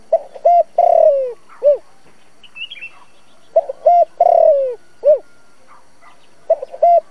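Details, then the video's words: Decoy spotted dove singing 'giọng thổ' style coos to lure wild doves to a trap: phrases of short hoots, a long sliding coo and an arched closing note, about every three seconds, with other birds chirping faintly between. "Tiếng cu gáy dùng cho loa bẫy, cu gáy mồi cây kích bổi nhanh nổi"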